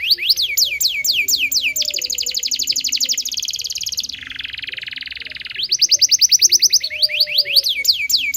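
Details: Local canary song meant to teach young canaries to sing. It opens with quick upward-sweeping chirps and then a sustained high buzzy trill. A lower harsh rattle follows, and it ends with more rapid rising notes and sweeps.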